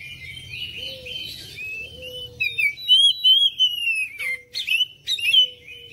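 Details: Oriental magpie-robin lure song to coax other birds into singing: a soft buzzy start, then bright looping whistles and harsh notes, with a faint low hum in the background.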